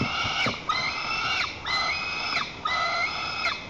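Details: White-tailed eaglet on its nest in Lower Kama National Park, Tatarstan, 21 July 2023, defending the nest from its mother while jumping and flapping, recorded by nest camera. Four loud, drawn-out piping cries, each opened by a falling slur, roughly one per second.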